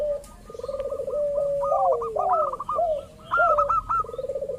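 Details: Lure recording of local zebra doves meant to set other doves calling: warbling, stuttered low coos with gliding drops, plus quick strings of short higher clipped notes running alongside.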